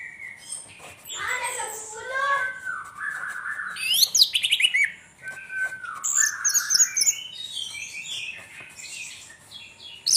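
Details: Anis merah tengleng, an orange-headed thrush, in a rambling varied song of chattering warbles, thin high squeaky trills and short descending whistles, with pauses between bursts and faint background murmur.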